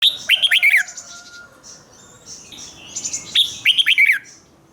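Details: Caged red-whiskered bulbul singing the doubled 'เบิ้ล' style, played for young birds to copy: two quick phrases of about five bright, liquid whistled notes, each under a second, with soft distant chirps and a thin steady whistle between them.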